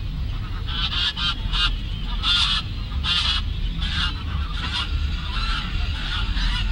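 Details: Geese at Lagoa Maior in Três Lagoas, Brazil, giving loud nasal honks in short bursts, about eight calls spread over several seconds, with steady low background rumble throughout.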